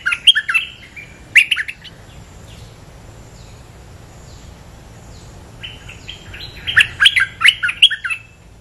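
A bulbul gives two bursts of lively, chattering phrases: bright, bubbly notes jumping up and down, separated by a few seconds of quiet.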